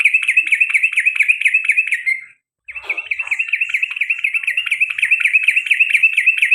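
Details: Sooty-headed bulbul giving a long rolling trill style called ropel panjang, with garuda calls repeated over and over. Rapid chattering notes run in a steady stream, broken by one brief pause near the middle.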